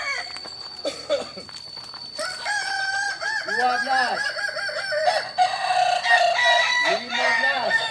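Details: Kukuak Balenggek chickens, an ornamental breed from Solok, West Sumatra, crowing at a practice contest. Several birds crow at once in repeated looping syllables, some deep and some higher, running continuously over a high steady tone.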